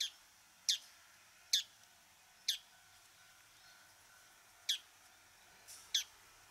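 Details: Bull-headed Shrike from Japan giving short, sharp, piercing single notes at irregular intervals of about one to two seconds, six in all, over a quiet background with faint low hum.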